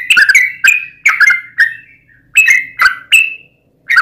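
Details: Yellow-vented bulbul song of the rapid 'ropel' type, played to draw other bulbuls to answer: bursts of sharp chirped whistles broken by short gaps, each note quickly dropping in pitch, over a faint low hum.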